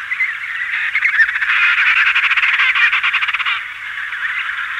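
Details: Adult and chick emperor penguins in a colony: overlapping bright, wavering calls, and through the middle a burst of rapid rhythmic flapping pulses as wings beat, fading back to the calling chorus, with light hiss.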